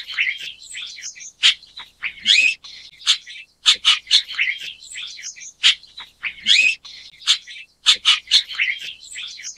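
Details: Chestnut-tailed starling (Sturnia malabarica), an introduced species in Taiwan, giving a busy run of high chattering, squeaky and buzzy notes.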